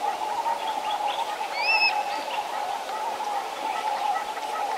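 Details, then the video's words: An African harrier-hawk gives one brief, high, plaintive whistle that bends slightly, at medium distance, with grey hornbills, double-spurred francolin and doves calling in the background. "African Harrier Ha / wk. Calls"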